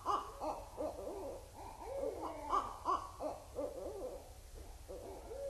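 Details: Several barred owls (Strix varia) trade rapid, wavering caterwauling hoots and cackles in overlapping bursts at Indian Cave in autumn 2012; raccoons were reportedly scurrying around the microphone.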